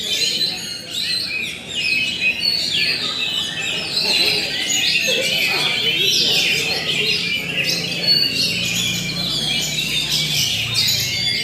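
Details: Oriental magpie-robin (kacer) singing in the roll tembak style: a dense, continuous stream of rapid high whistles, trills and chattering phrases, loud throughout, with a faint low hum underneath.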